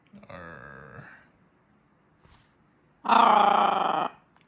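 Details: Caged pet macaw growling while eating an almond: a low, rough, drawn-out growl, a quiet pause, then a louder harsh, buzzy growl lasting about a second.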